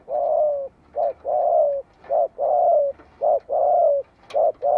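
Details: Spotted dove decoy bird calling to provoke wild doves into answering: a run of mellow, hoarse coos, short notes alternating with longer drawn-out falling ones, about one per second with brief gaps between.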